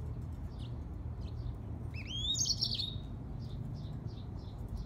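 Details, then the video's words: Grey singing finch and canary hybrid giving a short bright song: rising whistled slurs and a quick twittering run at mid-clip, with faint chirps before and after over a steady low hum. "طائر الياسمين هجين قري grey singing finch x Canary"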